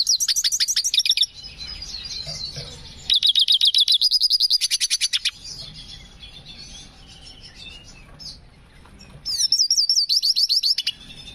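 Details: Hooded siskin in breeding condition in full, lively song with an unusual phrasing: three loud bursts of fast, high, buzzy-whistled notes, each run lasting one to two seconds, separated by quieter soft twittering.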